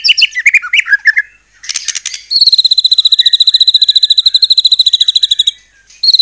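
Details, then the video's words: White-rumped shama song meant to spark other shamas into singing: brief whistled phrases, a buzzy burst, then a long steady fast metallic trill of evenly repeated notes. "murai batu gacor AMPUH buat PANCINGAN murai batu agar bunyi JADIKAN burung murai gacor EMOSI NYAUT"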